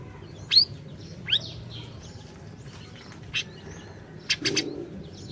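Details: Energetic orange-bellied leafbird song used as a lure to get a silent bird singing: a few high downslurred whistles and sharp chirps, then a rapid burst of clipped notes near the end, with low background hum.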